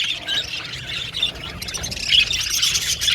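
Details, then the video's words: Pet budgies chirping and squawking, rough high chatter that grows louder toward the end. "Budgies Chirping Sound"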